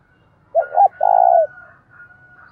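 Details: Decoy spotted dove giving its fight-provoking coo: two short hooting notes then one long buzzy coo, followed by quieter trailing murmurs and a faint high steady tone.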